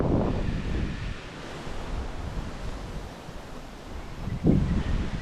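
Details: Gusty wind buffeting the microphone in broad rushing waves, with no animal sounds.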